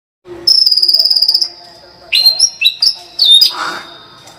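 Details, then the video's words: White-rumped shama singing in the energetic 'gacor full tembakan' style: a rapid buzzy trill held high for about a second, then sharp upswept whistles and short bright phrases, ending with a brief lower rattle. "kicau murai batu gacor full tembakan"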